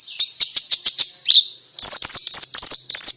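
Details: White-eye (pleci) in ngalas song style, meant to prompt other white-eyes to sing: a row of six evenly spaced high, sharp chirps, a short pause, then a loud, rapid twittering of quick descending whistled notes.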